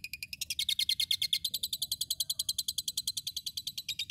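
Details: Asian pied starling from Tulungagung, East Java, singing nonstop and pouring out imitations of lovebird and cililin: a fast, harsh rattling chatter of about seven bright, buzzy pulses per second, steady throughout, over a low background hum.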